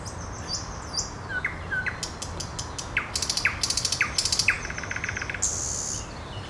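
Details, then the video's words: Song of a nightingale mixing soft short whistles, sharp upward-flicked notes and fast, dry clicking rattles in bursts, followed by a sustained high buzzy note over a quiet background hiss. "Сейчас самые соловьи..."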